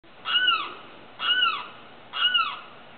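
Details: At night, a limpkin gives three loud, wailing cries, each rising slightly then sliding down, about one per second, over a faint steady background hiss.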